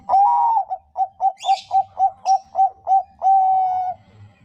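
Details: Bangkok-type zebra dove singing, a song used to lure other doves into singing: a long wavering coo, then a quick run of short clipped coos, closing on a sustained drawn-out note; brief high chirps from another bird midway.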